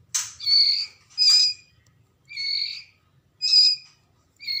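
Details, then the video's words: Young white-rumped shamas from Medan stock in Lamongan, East Java, giving five separate nasal, reedy calls spaced roughly a second apart, each with a buzzy, layered tone. "Anakan Murai Batu Medan"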